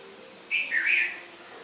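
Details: Red-vented bulbul (Pycnonotus cafer) in India sings one quick, bubbly phrase of two or three cheerful mid-pitched notes, with a steady high insect-like hum in the background.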